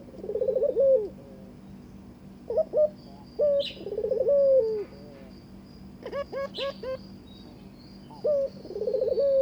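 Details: Mating call of a Barbary dove wooing the partner it was given: repeated bouts of a low throbbing, rolling coo drawn out into a falling note, with short clipped coos and a quick series of hooked notes between them.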